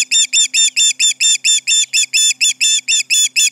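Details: Osprey at the Charlo nest, July 29, 2019, 11:30am MDT, calling in alarm at intruders: loud, high whistled chirps repeated regularly, roughly two per second, without a break.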